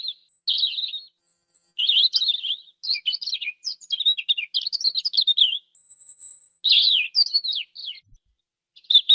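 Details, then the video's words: Song of a European robin, a run of short, varied, tumbling high phrases broken by brief pauses, mixing sweet twitters, trills and a few thin drawn-out whistles, with no background noise. "SOM DE PISCO-DE-PEITO-RUIVO"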